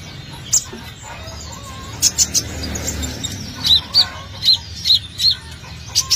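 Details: Brown-throated sunbird singing energetically, recorded as a lure to draw birds in: sharp, high, clipped chirps, often paired, repeating roughly every half second over soft lower whistles and faint background hiss.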